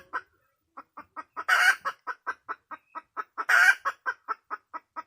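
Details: Wild red junglefowl hen: a short opening cluck, a pause, then a regular run of clucks with two loud grating squawks about two seconds apart.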